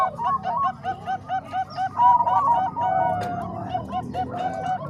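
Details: Zebra doves, combined Bangkok and Cemani Kolbuntet voices used for training other doves: rapid runs of short, arched cooing notes that overlap from several birds, with a low rumbling background.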